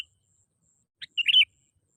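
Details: Short burst from a sooty-headed bulbul lure call: a faint lead note followed by a tight cluster of bright whistled and slurred notes lasting under half a second.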